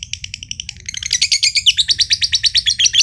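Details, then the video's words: Green josan lovebird from Mojokerto, a caged competition bird, ngekek trilling: a few spaced chirps, then a dense, harsh, quick-pulsed rattle from about one second on, the long trill credited with setting other birds off. "LOVEBIRD JOSAN NGEKEK PANJANG BIKIN BURUNG IKUTAN NGEKEK"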